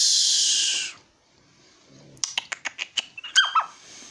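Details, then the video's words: Small pet owl calling back to its owner indoors: a loud, broad hiss lasting about a second, a pause, then a run of sharp clicks and short high chirps. "our super cute little owl chatting back with call"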